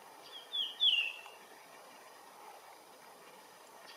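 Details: Blue rock thrush at its regular perch: a single short phrase of two clear whistled notes, the second sliding downward, then quiet over steady background hiss.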